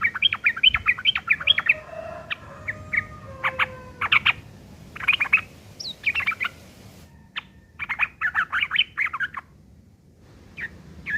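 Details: Long bout of rough sooty-headed bulbul chattering, ngeriwik kasar, used to tutor long-tailed shrikes: dense clusters of harsh chirps in several bursts, broken by brief pauses, with faint steady tones behind.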